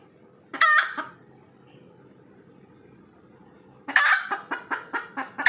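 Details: Red junglefowl after laying an egg gives one loud, harsh cackle, then falls quiet for about three seconds before another loud burst leads into a fast run of rhythmic clucks; a steady low hum sits in the background.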